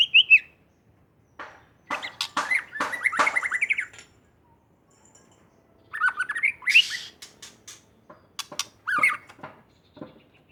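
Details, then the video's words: Song of a white-rumped shama from Aceh, Indonesia: whistled notes, then long phrases of sharp ticks and buzzy trills woven with slurred whistles, repeated after short silences. "Burung murai asal aceh | murai super gacor"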